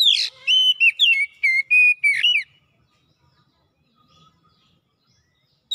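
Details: Oriental magpie-robin, locally kacer, singing its isian repertoire in gacor style: a loud harsh opening note, then a string of steady and sliding whistles for over two seconds, followed by silence.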